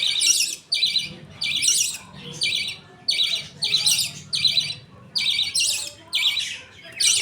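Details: Caged budgerigar family at feeding time as the father feeds two chicks; raspy squawks repeat irregularly, roughly 85 per minute, over faint low background noise.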